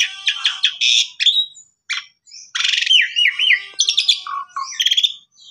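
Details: Vigorous song of an Asian pied starling (jalak suren), meant to trigger and train canaries: rapid raspy bursts, a brief gap, then a broad buzzy note dropping into zigzag whistled warbles and low hooting notes.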